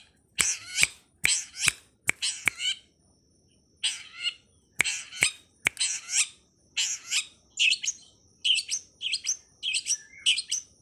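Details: Long-tailed shrike (cowet, codet or pentet) song used as a master recording for training songbirds, 'ala anak rimba' style: harsh rasping high bursts mixed with sharp clicks, then a run of quick chattering phrases.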